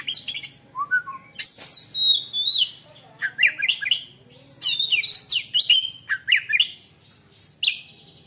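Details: Oriental magpie-robin (kacer), said to make other magpie-robins fall silent on hearing it; loud, varied whistled phrases with sharp downslurs, rising sweeps and chattery notes in bursts separated by brief pauses, over a faint steady low hum.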